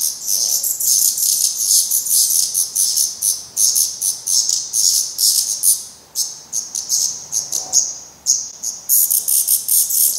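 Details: Parents feeding black redstart fledglings at a Portuguese nest after their first flight attempts: prolonged harsh hissing begging in irregular rapid pulses, with short thin whistles mixed in.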